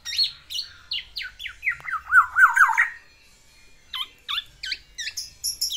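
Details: Black-naped oriole courting a female with isian song. Descending slurred whistles run into a brief trill, then after a pause come crisp, evenly spaced sharp notes.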